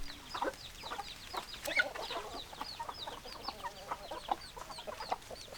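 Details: Hens clucking in a flock, a busy stream of short clucks and high chirps from many birds at once, fairly even in loudness with no single voice standing out.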